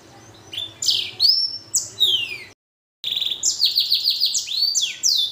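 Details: Actively singing blackthroat x canary hybrid, or Blacken, giving varied high whistles, sweeping slurs and buzzy trills, broken by a brief silence before a rapid run of repeated notes resumes.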